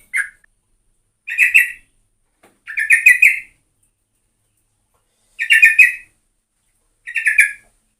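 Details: Sooty-headed bulbul in vigorous singing, recorded as a lure. Short, harsh, buzzy chattered phrases, each about half a second long, repeated at irregular gaps of one to two seconds in a quiet setting.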